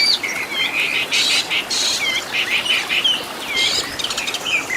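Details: Oriental magpie-robin master song with 'isian' fill-in phrases for training caged birds: short whistled slurs mixed with scratchy, harsh buzzing bursts in an uneven, stop-start rhythm.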